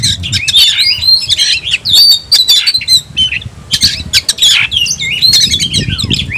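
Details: A kacer (Oriental magpie-robin) challenges a rival to fight with an unbroken rush of warbled whistles, rasping notes and quick up-and-down slurs, loud throughout with barely any pause.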